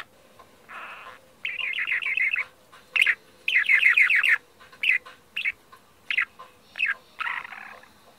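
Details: Parakeet chirping in fast trilled strings of bright notes, then single sharp chirps repeated roughly every half second, over a faint steady hum.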